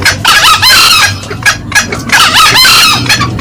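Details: Green junglefowl, male and female, calling loudly in a lure recording: two long harsh rasping bursts separated by short sharp notes, with a faint low hum in the background.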